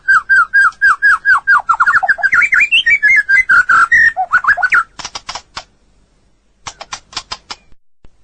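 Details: White-rumped shama singing a long training song for other birds: a rapid rhythmic series of slurred whistled notes, followed by dry rattling clicks after a short silence.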